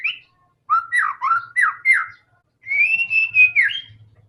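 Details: White-rumped shama singing to spur other shamas into song: a short set of slurred, looping whistles repeated about five times, a pause, then a level fluttering whistle ending on a rising note; faint low hum beneath.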